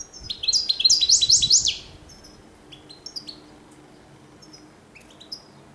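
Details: An Oujdi-type European goldfinch, recorded in 2013, sings a quick burst of bright, tinkling twitters and liquid notes, then a few scattered high chirps, over a faint low hum.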